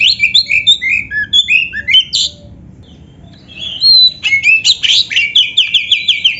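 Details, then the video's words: Oriental magpie-robin singing a full, energetic song rich in imitated phrases: quick whistles and chirps, a brief pause near the middle, then a burst of loud, sharp repeated notes that descend in a rapid series. "suara burung kacer gacor full isian"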